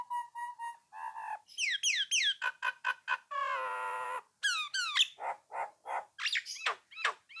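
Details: Nias hill myna in full song meant to lure rivals into replying, mixing steady pure whistled notes, sharp falling slurs repeated in quick succession and a long harsh buzzy note.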